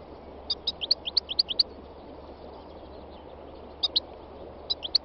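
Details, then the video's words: Wild European goldfinch giving a quick series of about eight short, bright, high chirps, then after a pause two small clusters of similar twittering notes; steady low background hum. "chant chardonneret sauvage khalwi goldfinch تغريد مقنين خلوي"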